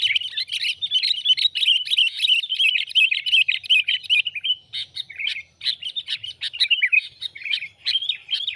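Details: Sooty-headed bulbul call played as a trapping lure, a busy stream of rapid chirps and twittering notes, about two to three per second, briefly easing midway before resuming with sharper, more separated chirps.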